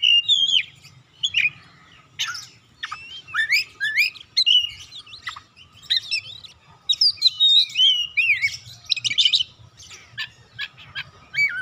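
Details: Oriental magpie-robin song meant to call and stimulate other birds to sing; varied whistled phrases with sliding, rising and falling notes and quick trills in uneven bursts, over a steady low hum.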